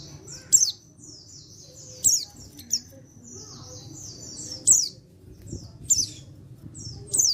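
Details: High-pitched chattering of a male untrained white-eye from Pacitan, dated 14/10/22, meant to prompt other white-eyes to call back; loud sharp chips every one to two seconds between quick thin falling slurs.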